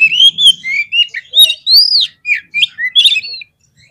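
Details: Oriental magpie-robin (kacer) lure song meant to make listening birds puff up and fight: loud, fast, varied whistled notes, including an arched rising-falling whistle and scratchy chips, over a faint low murmur.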